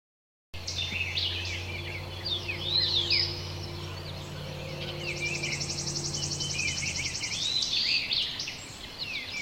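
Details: Eastern Bluebird in the Virginia–Carolinas region gives soft, burbling "chirbling" warbles, mixed with a Pine Warbler's dry high trill and Tufted Titmouse notes over a low steady hum.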